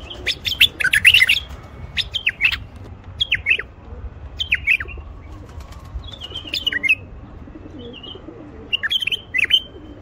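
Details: Male common bulbul singing to encourage silent wild bulbuls to sing, mate and build nests. A lively warbled phrase opens, then sparse slurred whistles and short chirps follow at intervals over steady low background noise.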